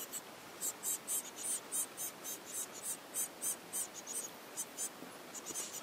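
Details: Motherless Eurasian blue tit nestlings, whose parents were probably killed by a cat, give thin, very high, hissing-chirpy begging calls in quick bursts, about four a second, over a quiet background; they are hand-fed and growing well.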